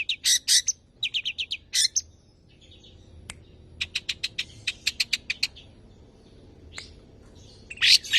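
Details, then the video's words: Long-tailed shrike in full mimicry, sung as a tutor and prompt for other birds: strong doubled chips, a pause, then a run of thin, evenly spaced ticking notes and a harsh closing burst. "BURUNG CENDET JINAK GACOR JUARA SUARA FULL ISIAN NEMBAK"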